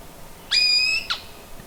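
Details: Male Eared Quetzal (Euptilotis neoxenus) approaching its nest in high-elevation mixed-conifer forest, Sierra Madre Occidental, Chihuahua, Mexico, in August, gives one loud contact call: a harsh onset, a level, ringing high squeal for half a second, then a rough closing burst.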